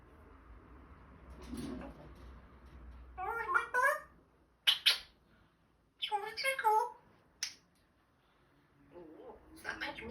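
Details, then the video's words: African grey parrot known for swearing, speaking indoors: bursts of voice-like mimicked syllables in several short phrases with pauses between, plus sharp clicks and squawks; steady low room hum. "swearing African grey parrot"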